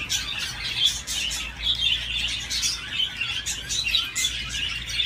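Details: Budgerigar playing on a swing, giving a continuous scratchy, warbling chatter broken by sharp clicks and short squeaky notes, with a steady low hum underneath.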